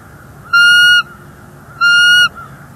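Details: Bald eagle at a nest in NEFL on January 30, 2024, the nesting female voicing displeasure at an intruding eagle: two loud, flat, piercing whistled notes, each about half a second long, roughly one second apart.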